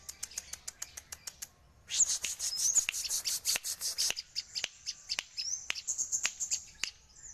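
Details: Crested jay, kept as a songbird, opening with evenly spaced sharp ticks, then a dense harsh chattering stretch of about two seconds, followed by mixed clicks and high slurred notes.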